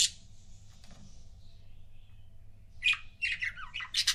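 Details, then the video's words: Pet budgerigar pairs indoors: a sharp squawk at the start, a quiet stretch of low hum, then a rapid run of scratchy, warbling chirps rising in loudness toward the end. "CUTE BUDGIE COUPLES"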